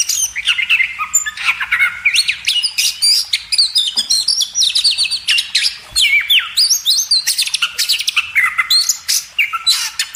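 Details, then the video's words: Oriental magpie-robin (kacer) in a cage-bird training recording, singing fast, rhythmic strings of upswept and downswept whistles, repeated almost without pause for ten seconds. "masteran burung kacer"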